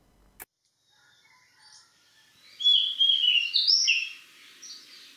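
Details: A male Oriental Magpie-Robin on Koh Man-nai, Rayong, Thailand, sings a varied run of loud, sweet whistled phrases, rising and falling, mimicking other birds, possibly a bit of plaintive cuckoo; a click opens the recording over faint background hiss.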